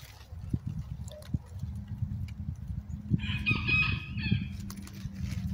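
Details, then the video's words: Roosters on a farm on New Year's Eve 2023: a single harsh, harmonic crow rises and holds for about a second near the end, over a steady low rumble and scattered knocks. "Roosters Crowing"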